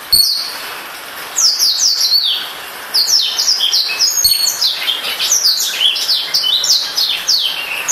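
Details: Black-throated canary, newly bought, caged, singing a fast varied warble of high sweeping whistled notes and trills, in two bursts with a short pause between.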